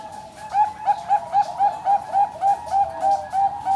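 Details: Captive Bangkok-type zebra dove at a bird farm in Kediri, East Java, Indonesia, hatched 12 April 2025, sings about twelve short, soft, mellow coo notes in quick even succession, roughly three per second, each gently arched, over a quiet background.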